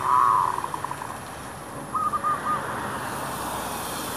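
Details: Zebra dove near shops, wild doves drawn by a decoy: a trill with quick staccato notes, a short four-note phrase, against steady broadband noise like passing traffic.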